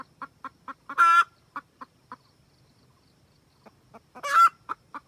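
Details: Red junglefowl hen summoning the rooster: quick clucks lead into a loud rasping squawk, more clucks trail off into a near-silent pause, then clucking returns with a second strong squawk.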